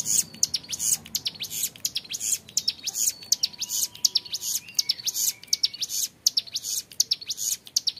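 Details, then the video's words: Young hill prinia keeps up its long ngebren song: rapid, shrill high-pitched chirps in a dense, continuous chatter, with a faint lower whistle drifting in midway. "MASTERAN CIBLEK GUNUNG MUDA GACOR NGEBREN PANJANG SUARA JERNIH"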